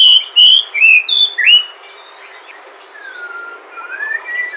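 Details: White-rumped shama from Sumatra, natural sound used to prompt other shamas to sing: a rapid run of loud, clear whistled notes sliding up and down, then softer, longer slurred whistles trailing off.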